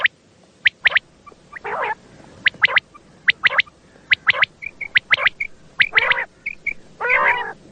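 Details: Night calls of common quail used as a hunting lure. Sharp clipped notes in twos and threes repeat steadily, broken by several harsh, rasping bursts.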